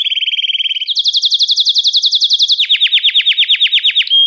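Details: Belgian canary song meant to excite males and bring females into breeding condition: three linked rapid trills, each a steady roll of repeated notes at a different pitch, ending in a short pure whistle.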